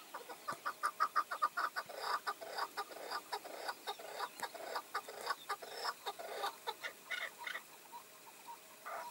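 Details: Chukar partridges, a tethered decoy with five wild males approaching during a hunt; rapid series of clucking chuck notes, loudest early, then continuing as uneven overlapping chuckles from several birds across the clip.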